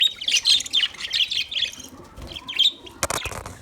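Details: Budgerigars chirping in bursts of bright warbled notes and trills, loud at first, then quieter, with a few sharp clicks near the end.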